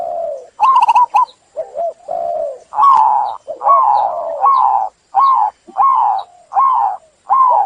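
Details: Zebra dove delivering a long series of soft, low coos, some in quick stuttered clusters, then evenly spaced wavering notes about once a second.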